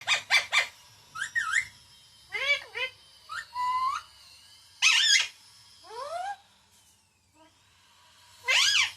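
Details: Talking pet parrot, said to say papa and mummy loudly: a series of shrill, looping whistled phrases and short sharp calls, bursts spaced with pauses, indoors.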